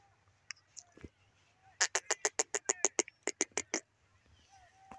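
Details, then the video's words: Grey francolin, known locally as Sindhi teetar, gives a single run of about twelve harsh, clipped notes delivered quickly and evenly. A few faint scattered notes come before it in an otherwise quiet setting. "grey francolin teetar awaz sindhi patha ki awaz"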